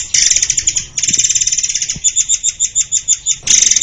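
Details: White-crowned forktail song for training songbirds: bursts of rapid high chattering, then a long run of evenly paced two-tone chips, ending in another dense burst.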